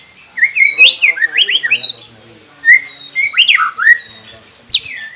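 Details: White-rumped shama song used to prompt captive birds to sing: varied whistled and squeaky phrases sweeping between low and high notes, delivered in rapid bursts separated by short pauses.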